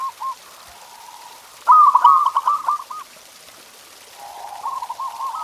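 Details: Zebra dove master song to encourage caged doves to sing: one loud, rapid rolling coo phrase of clipped beats stands out between softer, fainter trilled cooing before and after.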